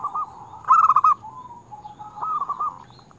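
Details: Local zebra dove with a clear 'crystal' voice, its song played to lure wild doves and stir quiet birds. One loud burst of rapid clipped coos, then a drawn-out lower note and a softer stuttered phrase.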